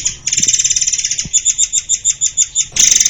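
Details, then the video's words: Rapid-fire white-crowned forktail song for tutoring caged songbirds: a run of fast, evenly spaced double-pitched high chips, slowing slightly into separate pulses, then a sudden bright burst at the end. "SUARA BURUNG MURAI AIR untuk masteran || FULL DURASI & TEMBAKAN RAPAT"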